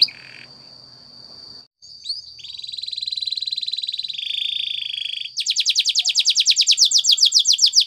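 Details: Spanish Timbrado canary training song: a long steady high whistle, a buzzy sustained rattle-like tone, then a fast run of rapidly repeated high notes; faint background hiss at the start.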